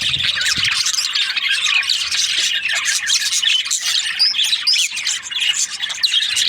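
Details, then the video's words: Budgies chirping in breeding season, a crowded stream of squeaky notes, chatter and a few clearer upslurred whistles toward the end, with a faint low thump near the start. "Lovely budgies chirping sound parakeets breeding season"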